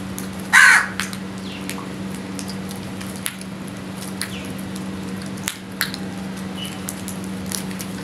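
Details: One short, rasping crow caw near the start, then quieter scattered chirps and clicks from other birds over a low background hum, recorded in the morning.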